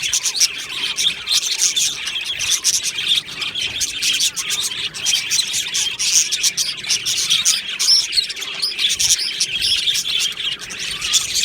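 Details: Colony of budgerigars in an aviary, 22 June 2025: steady dense twittering, chirps and soft warbles overlapping throughout, a constant high chorus with no pauses.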